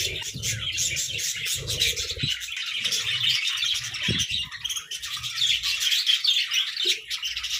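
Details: Budgies competing for favourite food, giving steady overlapping shrill chirps, twitters and squeaks, a crowded aviary chorus with occasional dull bumps and clicks below.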